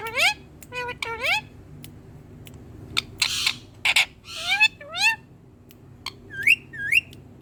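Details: Green tame Indian ringneck parakeet talking to a mirror: a lively string of rising whistled squeaks, sharp clicks and short raspy bursts, ending with two upward-curving squeals.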